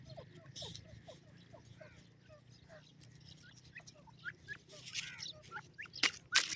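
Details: Grey francolin chick, three months old, repeating short upward-slurred peeps at a brisk pace, with louder rustling and knocking noises breaking in toward the end.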